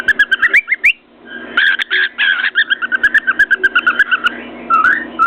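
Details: A cockatiel perched on its cage, whistling and knocking its beak on a mirror, gives quick rising whistles, then a long buzzy chattering warble of rapid pulses, ending with a few slurred notes.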